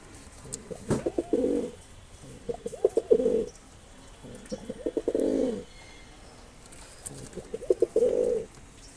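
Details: Four repeated coo phrases from a Mosaldom pigeon, about two seconds apart, each opening with ticking pulses and swelling into a deep, rolling, throaty coo.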